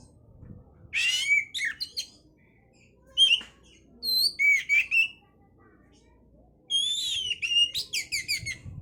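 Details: Oriental magpie-robin song played as a lure to stimulate breeding condition: rich bursts of whistled, rising and falling notes mixed with harsh buzzy phrases, delivered in three clusters separated by short pauses.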